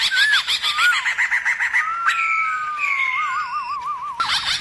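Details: Black-throated laughingthrush singing its forest-style song, meant to stir other laughingthrushes: a run of rapid repeated whistled notes, then long gliding whistles and a warbling, wavering trill, ending in a harsh burst.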